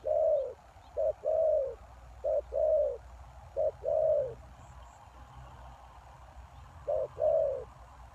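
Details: Spotted dove calling as a lure for wild doves: four two-part phrases of short then long mellow coos, then a silent gap of about three seconds before one more phrase.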